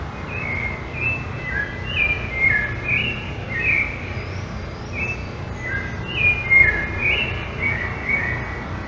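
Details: Rufous-bellied thrush (Turdus rufiventris) singing in São Paulo city, Brazil, October 2023: varied, fluty whistled phrases a second or two long, separated by brief pauses, over a low background rumble.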